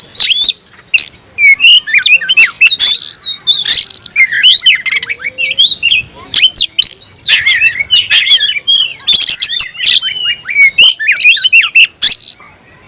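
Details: Oriental magpie-robin, a kept songbird, singing loudly as if hunting for a rival: a long, unbroken medley of harsh squawks, rapid chatter and whistled slurs, with short bursts separated by tiny gaps.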